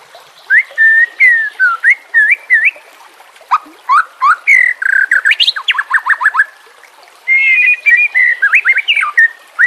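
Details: Song of a White-rumped shama, used to train captive birds, with combined filler phrases: wavering whistles, a quick descending trill of notes, then fluty warbling.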